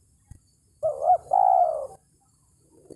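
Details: Spotted dove calling to challenge a rival, for use as a trapping lure: a wavering double coo followed by a sustained, slightly descending purring coo, with a soft thump before and a faint low note after.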